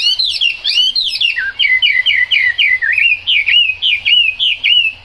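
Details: A loud, continuous hwamei song during rain, made of looping whistled phrases that swoop up and down, with short repeated motifs and rapid flourishes strung together without pause.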